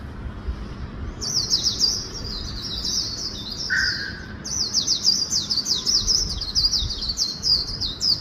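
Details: Swinhoe's white-eye (vành khuyên) in a fast 'líu' song style, with the phrase endings mixed with magpie-robin notes: rapid, high, thin twittering runs of sliding notes, briefly interrupted by a single lower note.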